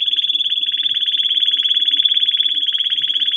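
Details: Canary song for training chicks: a steady, fast pulsed trill held at one pitch throughout, loud and even.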